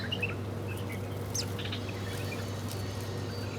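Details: Different birds chirp while eating food in the morning: brief high tweets overlap early on, with a sharp sliding note in the middle. The chirping fades later against a continuous low hum.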